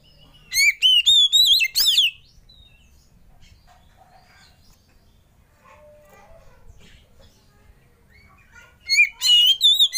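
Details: Oriental magpie-robin lure and tutor song to make other birds sing: a loud phrase of four or five ringing arched whistles, a long near-silent pause with faint twitters, then the phrase starts again.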